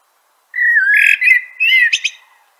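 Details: A single phrase from a Common blackbird (Turdus merula): a low, smooth whistled note wavering upward into a warble, then finishing in a couple of sharp, high-pitched squeaks.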